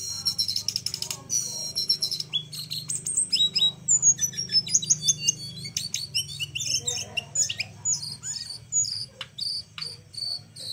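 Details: Flowerpecker song kept as a training recording for other songbirds: rapid, very high, thin chirps and short descending whistled slurs in quick, varied bursts, with a faint low hum underneath.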